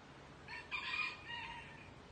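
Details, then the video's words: Rooster crowing south of Houston during the 8 April 2024 solar eclipse; a distant, soft crow of about one second, bright and strained, then trails off amid steady low-level noise. "Eclipse 2024 Roosters Crowing"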